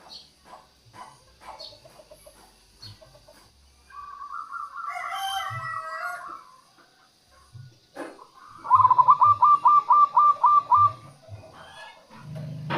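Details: Local zebra dove used to lure wild doves and prompt quiet doves to sing: a rolling trilled phrase, then a fast series of evenly spaced stuttering coo notes, with clicks and low thumps between.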